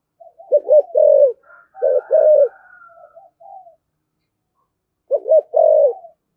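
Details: Spotted dove in the 'thổ' voice, 'thúc gù' style used to provoke other doves: stuttering low coos in quick doubled notes, a soft murmuring trail, a pause, then another pair of deep notes.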